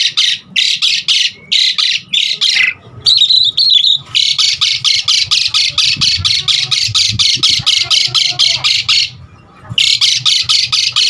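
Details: Asian pied starling song used as lure and tutor recording for starlings: harsh, rasping notes rapidly repeated about three per second in long bursts, broken by brief gaps and a short whistled phrase.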